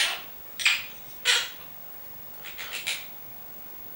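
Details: Household monk parakeet imitating words and its own name, including love and kiss: rough, nasal bursts, two strong ones early followed by a run of softer clipped syllables.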